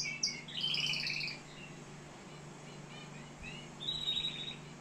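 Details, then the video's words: Canary from Algeria giving brief rolled trills and twittering phrases, then a pause and a final buzzy trill, over low hum. "كناري صوة جميل"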